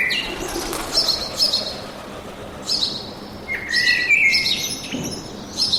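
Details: Birds singing in a forest, with bursts of high, thin chirps and brief twittering notes coming every second or so over a soft, steady background hush.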